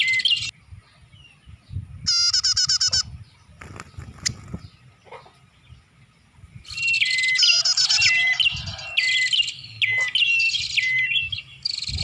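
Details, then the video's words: Bar-winged prinia lure sound used to attract birds: bursts of rapid, high, buzzy chirping and clicking trills separated by short quiet gaps, with sharp repeated ticks and falling whistled notes in the second half. "Suara Pikat Burung Prenjak"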